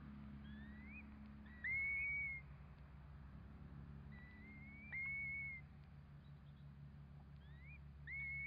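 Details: Curlew near four newly hatching chicks, calling repeatedly: loud pure whistles that swoop upward and then hold level, in bursts roughly every three seconds, with fainter rising whistles between them. A low hum sits in the background.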